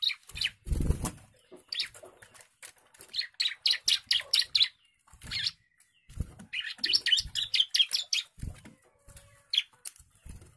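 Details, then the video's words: Agitated young bar-winged prinia singing: repeated bursts of fast, high chirping notes, each phrase six to ten notes long, separated by short pauses, with a loud low thump near the start. "CIBLEK GACOR DOR,, CIBLEK MUDA NGAMUK"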